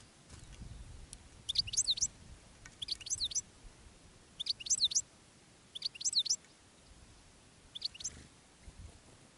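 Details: Decoy goldfinch calling wild goldfinches during a day of finch trapping in open country; bursts of high, twittering notes come about every one and a half seconds against a quiet rural background.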